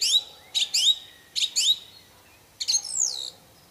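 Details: Wild orange-banded thrush singing isian-style: paired sharp upslurred chirps repeated in quick groups, then a longer descending whistled slur, clean and loud against faint background.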